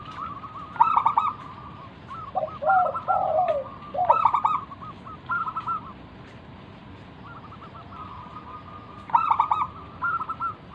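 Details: Local wild zebra dove singing vigorously, used as a lure to draw other doves into song: bursts of rapid, bubbling trilled coos with lower rolling notes, repeated every few seconds over a steady background hiss.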